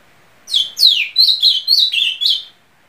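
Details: Ultramarine grosbeak, a popular cage bird in Brazil, sings a two-second phrase of seven whistled notes: two descending slurs, then rapid short notes wavering at similar pitch.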